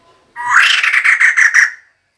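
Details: Short rasping chatter from a female White-crested Laughingthrush, a decoy call: about seven fast, broad pulses in a burst of roughly one and a half seconds, then silence.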